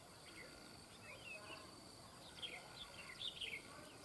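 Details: Red-whiskered bulbul heard while trapping birds; faint chirps early, then a cluster of quick, bright, rising-and-falling notes near the end, against a constant high-pitched hum and diffuse background noise.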